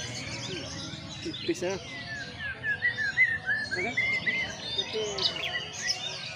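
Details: White-rumped shama sung out during a strong sunning therapy for a fuller voice and repertoire; varied mid-pitched whistled slurs and chirps in short bursts, a human voice and background noise mixed in.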